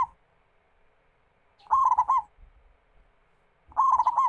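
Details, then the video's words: Local zebra dove singing, used as a lure to get other doves singing: bursts of soft, rapid, stuttering cooing notes with a rolling trill, one phrase ending at the start and two more about two seconds apart, quiet between. "PERKUTUT GACOR MEMUKAU LAWAN"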